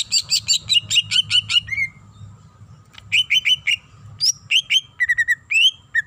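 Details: Female greater green leafbird calling the male, in a varied song with mimicked fill notes: rapid bursts of sharp chirps and downslurred whistles, a gap, then further clipped whistles and trills over a faint low hum.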